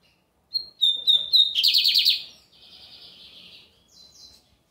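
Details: Lined seedeater singing a lot on a Sunday: a few clear whistled notes on one pitch, then a fast rattling trill, a drawn-out buzz, and a brief high flourish at the end.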